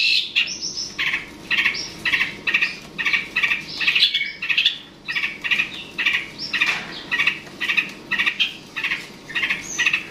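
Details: Long-tailed shrike calling to provoke a rival: a steady series of harsh, scratchy squawks, roughly two per second, each a short broadband burst, continuing with little pause over a faint low background hum.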